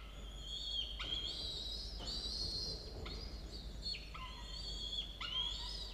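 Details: Falcon nestlings, a pair aged 17 and 13 days, filmed by a nest cam at a university around 6 a.m., 27 October 2022; long, loud, harmonic whining cries, each ending in a sharp downward drop, about five in a row.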